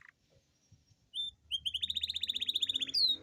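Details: Atlantic canary giving a long rolling song meant to stimulate lazy canaries to sing: near-silence at first, then a high note and a fast, even rolling trill of rapidly repeated rising notes, ending in a sweeping whistle.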